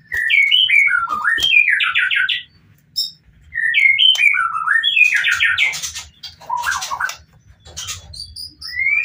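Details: White-rumped shama singing with full emotion to draw other shamas into song: repeated rapid runs of zigzag whistled notes in two matching phrases, then buzzy rattling notes and brief high whistles.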